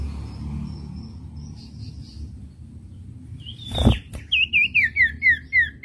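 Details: Common iora, master recording for training young captive songbirds to sing: after a thud, a fast run of clear whistled notes repeated about four times a second, over low background noise.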